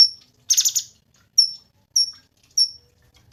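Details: A buzzy, harsh rattle opens, then a Cungkok gives single high whistled notes about every half second; softer than the other recordings, with a faint low hum.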